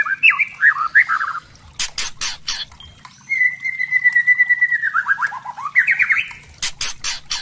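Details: Spotted white-rumped shama lure song meant to make other shamas sing: warbled whistled phrases, harsh rattling bursts, then a long level whistled trill that breaks into falling notes and quick upswept whistles.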